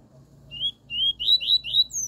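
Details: Pure 'tui tui' style song of a double-collared seedeater, meant for tutoring a young bird: a run of rising, slurred whistles that starts spaced and quickens, closing on a higher thin note against a quiet background.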